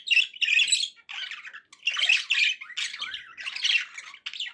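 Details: Budgerigars, pet birds, give happy calls: harsh chirruping squawks and rolling warbles in bursts of about half a second to a second.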